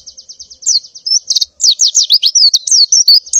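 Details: A female white-eye in breeding condition calls for a mate in the morning: a rapid run of thin, high notes that becomes an excited, jumbled twitter of sharp chirps.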